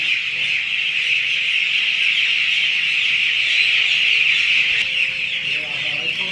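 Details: Broiler poultry on a farm at day 9, many birds peeping at once in a loud, high, constant chorus of rapid overlapping cheeps, with a few faint lower tones near the end.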